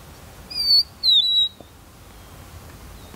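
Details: A confiding Rufous-naped Lark calls from song posts such as a fence pole, soil mound, rock or burnt stump in southern Africa, giving two clear, high whistled notes, the second slightly lower and sliding down.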